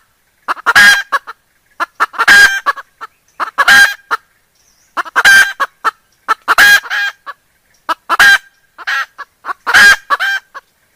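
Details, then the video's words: Female junglefowl calling her male to mate: loud harsh raspy bursts, each followed by a few shorter clipped notes, in clusters roughly every one and a half seconds, on a silent background. "SUARA AYAM HUTAN BETINA MEMANGGIL JANTANNYA"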